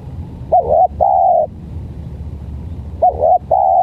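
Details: Spotted dove in a calling contest between a stuttering-voiced decoy and an odd-sounding dove. Two matching phrases about 2.5 seconds apart. Each is a short hooked coo followed by a longer, steady, mellow coo, over a faint low hum.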